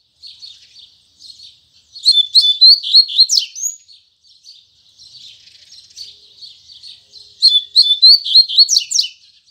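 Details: Double-collared seedeater singing its tui tui zel zel song style in the morning: bright whistled and buzzy phrases high up, in two loud bursts separated by a softer chattering stretch.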